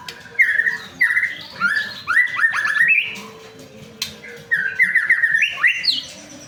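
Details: White-rumped shama song used as a lure to prompt other shamas to sing quickly: loud, clear whistled phrases, some rising and some falling, given in bursts about every half second, with quick ornamented notes and a few sharp clicks.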